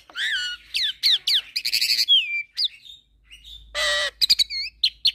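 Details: Unique fill-in song from a tutor recording of black-collared starling, Nias myna and their hybrid: downslurred whistles, a rasping buzzy burst, and rapid high chirps and short whistled notes.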